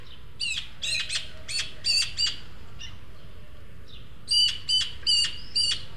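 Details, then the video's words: Three juvenile Eurasian magpies at a garden feeder in El Retiro, Madrid, two begging food from the more developed third; harsh, buzzy, rasping calls in bursts, about nine loud notes in two clusters with a short pause between. "URRACAS JUVENILES"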